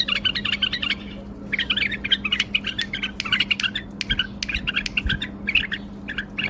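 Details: Bulbul singing with wing display: a long, busy chatter of rapid scratchy and whistled notes, broken by a short pause, with a few low thumps and a steady hum in the background.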